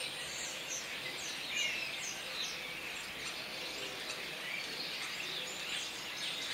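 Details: Common starlings (Sturnus vulgaris) in a dense, continuous chatter of high squeaks, short whistled slurs and clicks from many birds calling at once, with a steady background hiss.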